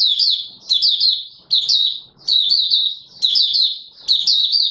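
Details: Oriental white-eye singing, recorded 24 March 2022: high, thin twittering phrases of rapid slurred chirps, each lasting about half a second to a second, repeated with short pauses, with faint low clicks beneath.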